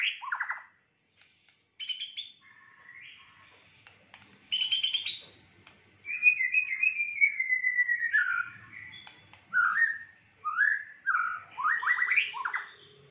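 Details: Fighter-type white-rumped shama with rich fill in its song: clear whistled notes and short chips, then a long wavering phrase and a string of rising slurred whistles repeated in quick bursts, with brief silent gaps.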